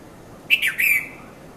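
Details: Three-note chirping phrase of a red-vented bulbul, heard in the early morning between 5:30 and 5:40 at Mount Lavinia, Sri Lanka, Nikon Coolpix P510 camera; bright, tumbling notes, the last longest and slightly falling.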